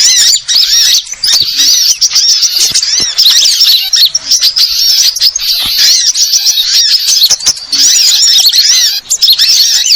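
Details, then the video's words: Sunbird, called burung ribut in Indonesia, producing a long unbroken stream of high-pitched twitters and short upslurred chirps, busy and overlapping, with occasional sharp ticks. "Suara Burung Ribut Burcil"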